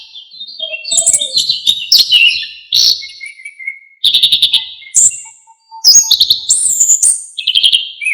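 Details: Orange-headed thrush singing a lively, varied song, used as a master recording for songbirds. Quick phrases of high chirps and whistles are separated by short pauses, some notes sliding downward, others repeated in fast stuttered series.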